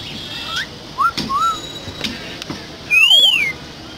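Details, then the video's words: Myna whistling: a few short clear whistled notes, some rising and others gently arched, then a loud drawn-out whistle that rises and falls, with brief clicks and thumps between the phrases. "শালিক পাখির সুন্দর শিস বাজানো দেখুন"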